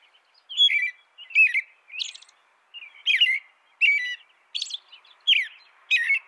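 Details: An American robin carols in repeated slurred whistled phrases, some with a higher squeaky note, delivered in a steady rhythm of roughly one phrase every three-quarters of a second.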